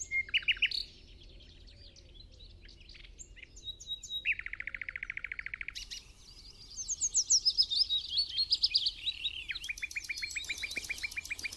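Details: On an early misty King's Day morning in the Amsterdamse Waterleidingduinen, a Common Nightingale sings from the background: a short whistled opening, a pause, then a dense buzzy rattle, rising whistled sweeps and a rapid stuttering trill.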